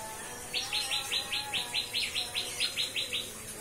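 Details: Captive-bred white-rumped shama delivering the cikris song style: a run of about fourteen short, bright, chipping notes, evenly spaced about six per second, over faint low background hum and soft whistles.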